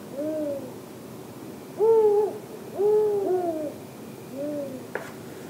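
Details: Arabian eagle-owl chick recorded in Tanomah governorate: low, arched, slightly wavering hoots, some doubled, about five over several seconds with gaps between, and a sharp click near the end.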